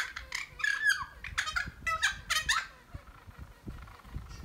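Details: Two noisy friarbirds shooting the breeze in a holly fuchsia: a few raucous, gurgling squawks with throaty harmonics in the first three seconds, followed by soft knocks and rustling.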